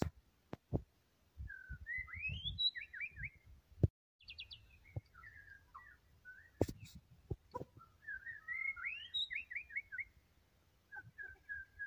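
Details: White-rumped shama singing in lively bursts: clear whistled phrases that rise and fall, quick rattling trills and sweeping slurs, broken by short pauses, with sharp knocks and clicks in the background.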